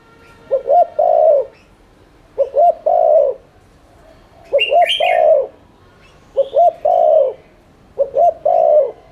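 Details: Spotted dove giving 'thúc liên thanh' rapid continuous cooing meant to urge other doves to coo: five low three-part phrases, two quick hoots and a longer falling coo, with faint higher chirps from other birds.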